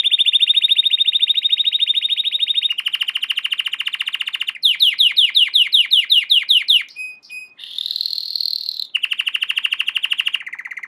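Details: Training song of an American Singer canary: long, even rolling trills at high pitch, then a faster series of descending sweeps, a brief pause, a buzzy harsher tour, and another steady trill, all clean with no background.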